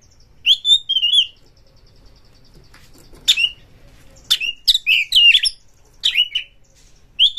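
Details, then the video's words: Oriental magpie-robin singing in an agitated mood, looking for a rival to fight. A wavering whistled phrase is followed by a long quiet gap. Then come rapid clusters of sharp, jumping whistles and chattering notes, ending with a last whistle. "kacer MENCARI LAWAN TARUNG Pancingan Kacer GACOR bikin jebolnya birahi EMOSI BONGKAR ISIAN buka ekor"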